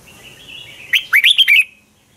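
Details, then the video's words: Red-whiskered bulbul singing a competitive morning song for training other birds, a thin buzzy note running into five rapid, bright, warbling upswept notes lasting under a second. "Luyện chào mào hót sáng hay Dùng để thúc bổi căng hót, ép giọng rất hay, chào mào hót đấu"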